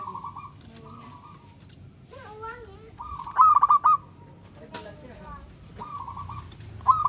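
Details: Local zebra dove, a keen singer, voicing song meant to provoke other doves to reply: soft purring coo phrases, then one loud four-pulse phrase, with brief rising and falling whistled notes from another bird and low background noise.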